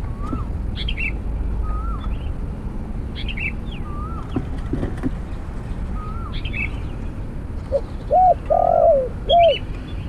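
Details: Snare-cage trapping of Spotted Dove with a decoy bird; other birds repeat short rising whistles and chirps for most of the recording, then the dove gives one coo phrase of arched and rolling notes at the end.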